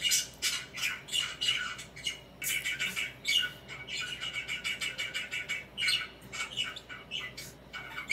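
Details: Pet budgerigar chirping while swinging and preening indoors: dense, rapid run of scratchy, squawky chirps and warbles, bursts clustering every half second or so, high-pitched with little low sound beneath.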